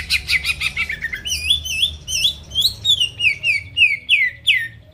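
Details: Song of a greater green leafbird meant to spur rival birds to sing, opening with fast descending chirps, then a string of bright, swooping whistled phrases, each falling in pitch, repeated about three times a second.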